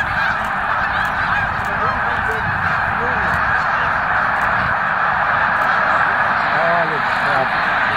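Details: Migrating snow geese at Victoriaville in November 2018: a dense, continuous chorus of many honking voices forms a steady wall of sound, with a few distinct yelping notes standing out above the mass.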